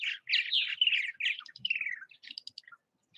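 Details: Purple martins active at nest houses in Southwest Missouri: a dense run of throaty, gurgling chirps and warbles, some notes sliding downward, with a few thin higher notes trailing off near the end.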